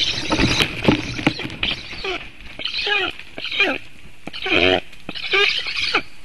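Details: Black stork chick at a nest in Latvia, on a webcam on 7 August 2018 at 11:37, begging as its father returns to feed it: loud, hoarse, rasping bursts with wavering pitch, repeated about once a second.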